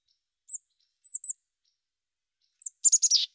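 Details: Mountain chickadee: three or four isolated thin, very high whistled chirps spaced apart, followed by a rapid burst of four sharp notes dropping into a buzzy finish.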